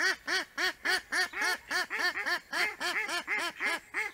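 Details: A mallard (Anas platyrhynchos) in Liepāja, Latvia, September 2024, gives a fast, steady run of harsh, nasal quacks, about three a second. Nothing else is heard.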